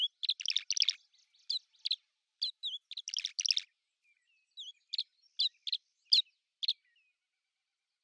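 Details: Common house martin song in a loose chattering burst of rapid chirps, then scattered single chirps and brief slurred whistles spaced unevenly over several seconds.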